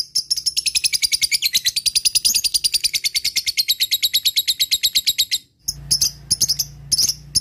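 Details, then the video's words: Lovebird, one of many answering a played lure call meant to prompt long ngekek chatter: a rapid, steady train of sharp high chips repeated many times a second for about five seconds, then a short break and scattered chirps. "Lovebird banyak yang nyaut bunyi setelah mendengarkan suara pancingan lb memanggil ngetik ngekek"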